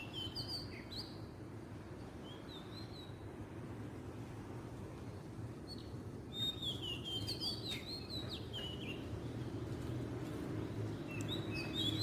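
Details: Oriental magpie-robin in the wild, Southeast Asia, singing bursts of bright whistled and slurred phrases, a pause in the middle, then a denser run of rising and falling notes, against steady low background noise.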